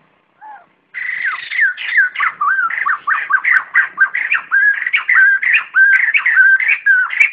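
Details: Flock-gathering call of a white-crested laughingthrush, kept clean of background noise for trapping or training decoy birds: a continuous, fast chatter of loud, looping whistled notes that rise and fall, repeated steadily for six seconds after a brief opening note.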